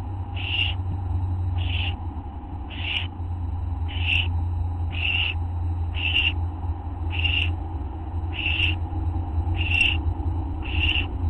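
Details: Owl within a group, recorded at 11:04 PM on August 24, 2011: ten regular rasping hiss bursts, about one per second, each short and noisy, over a loud constant low hum.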